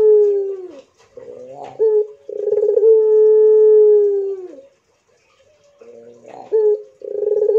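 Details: Barbary dove cooing in the long-drawn pelung style: a rolled, throbbing opening note, then a steady, even held coo of about two seconds that slides down at the end, followed by more rolled notes.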